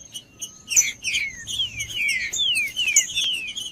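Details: Song of a green-winged saltator meant to warm up other saltators and coach chicks; after a soft opening, a quick string of bright falling whistles, roughly two or three per second.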